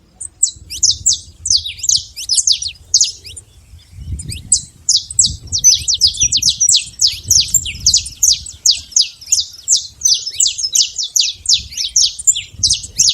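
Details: Wild, free-living saffron finch amid a continuous, dense stream of sharp, high downward-slurred chips and twittering notes, tumbling on without pause, with faint low rumbling underneath.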